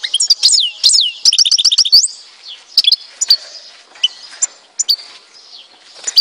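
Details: European goldfinch of Tizi Ouzou, Algeria. About two seconds of quick, bright, tinkling notes and a short rapid trill are followed by scattered sharp, high single chirps at irregular intervals.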